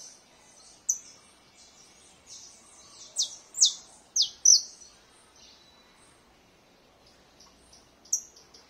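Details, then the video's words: Domestic canary singing in scattered bursts: a few high, sharply falling notes cluster in the middle, with long quiet gaps and a faint background hiss. "CANARIO DO REINO cantoria LINDA"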